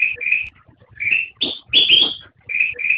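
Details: A black-crested bulbul gives a cheerful whistled phrase: paired rising notes, then two strong, slightly harsh downslurred notes, then rising notes again.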